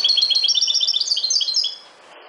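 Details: European goldfinch of the subspecies parva singing: a fast, bright twittering run of high chirps and trills for about two seconds, then quiet.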